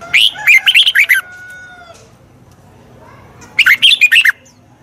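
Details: Red-whiskered bulbul song, played for training a wild-caught bird: two bursts of quick, bright, warbled whistled notes about a second long, separated by a pause of about two seconds, with a faint steady tone fading between them.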